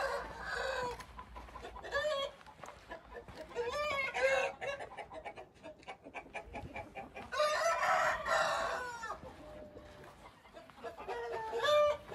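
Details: Several Hint roosters crow in turn and overlap. The crows are drawn out, wavering and harmonic, with repeated loud bouts across the clip and clucking between them.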